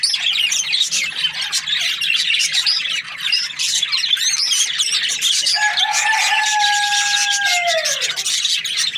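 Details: Breeding pairs of budgerigars chirping: a dense, continuous wash of high, scratchy chirps and twitters from many birds, with a long drawn-out lower call that bends downward near the end.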